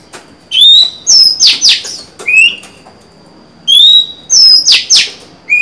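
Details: Oriental magpie-robin hen, kept as a cage bird, singing to draw a male into song: bright rising and falling whistles followed by rapid grating, buzzy notes in two bursts separated by a silent gap.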